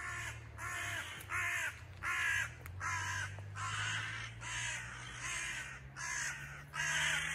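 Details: Excited crow parents circling a fallen nestling by a house doorway, giving a steady run of hoarse, raspy caws, roughly one or two per second, with a constant low hum underneath.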